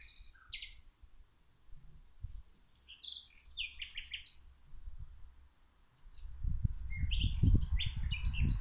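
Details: Birds singing while plants are watered: several bursts of high, quick chirping phrases, then a loud low rush of water noise that rises and continues under the final chirps.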